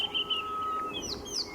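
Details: A drongo in a mixed bird party on a morning safari drive in the Sabi Sands gives brief, bright chirps and short sliding whistles, mimicking a rattling cisticola, with a steady, thin, level tone underneath.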